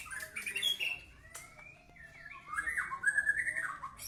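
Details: White-rumped shama song with scratchy opening notes, a long thin rising whistle, then a lively run of warbled, slurred whistles that grows louder toward the end.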